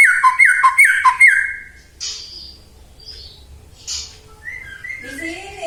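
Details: Singing white-rumped shama used as a lure to set other shamas singing: four rapid, loud down-slurred whistles, then quieter scattered notes and soft, higher phrases.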